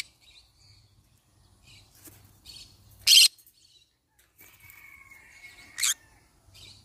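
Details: Yellow-sided conure parrot with two strong raspy squawks nearly three seconds apart, separated by quieter chattering notes and a thin whistled tone.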